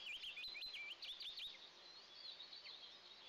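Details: At the first morning feeding on 29 June 2024, two Eastern imperial eaglets in a camera-monitored nest give quick, bouncing high chirps in a burst, then softer, scattered peeps.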